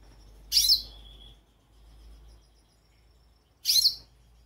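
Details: Goldfinch chirps twice, each call a bright, high, twisting note about three seconds apart, over a faint low drone.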